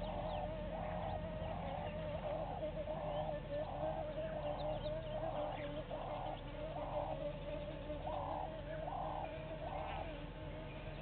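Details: A red-billed hornbill, one of a pair at a waterhole on Djuma Game Reserve, Sabi Sand, South Africa, at 15:54 on 3 November 2019, gives a long series of hollow, clucking 'wok' notes, about one and a half per second, over a low hum.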